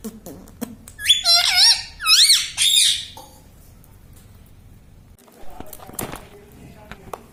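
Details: Pet green parrot talking indoors, said to say mummy and papa; a few shrill, wavering, speech-like syllables in quick succession, then quiet room with soft clicks.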